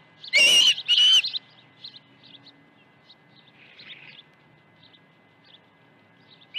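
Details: Osprey at the nest at Dunrovin Ranch on 21 August 2019, morning of two fish deliveries: two loud, sharp whistled calls in quick succession, then soft, scattered faint chirps.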